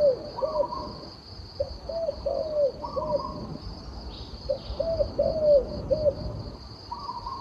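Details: A turtle dove gives repeated sets of soft, low coos: short notes followed by a longer drawn coo, in two full phrases about three seconds apart. A steady high insect-like tone runs beneath the calls.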